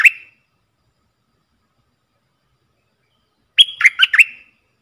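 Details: Caged red-whiskered bulbul used as a decoy to lure wild bulbuls, dated 23/07/64: a brief chirp at the start, then silence, then a quick phrase of a level whistle and three rapid bubbly slurred notes.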